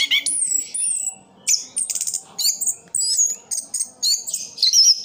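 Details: Sidoarjo orange-headed thrush in continuous full roll song: very high thin whistles and buzzy rattling trills alternating with sharp chirps, broken by short gaps, the phrases shifting constantly.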